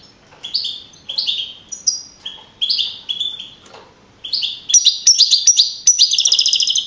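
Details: Young caged European goldfinch, a field-type contest champion at Navalcarnero, Madrid, on 15 April 2012. Paired descending chirps repeat, building into a rapid, ringing high trill.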